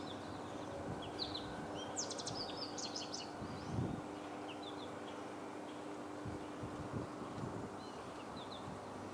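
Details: An American goldfinch (Spinus tristis) gives calls: thin, high twittering chirps in short bursts over a steady background hum of traffic and rural noise.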